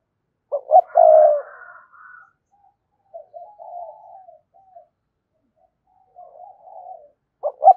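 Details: Spotted dove giving 'thúc gù' cooing while calling to a rival bird: a loud two-note stutter opening into a rolling coo, then softer muffled coo phrases, and another clipped double note at the end, on a silent background.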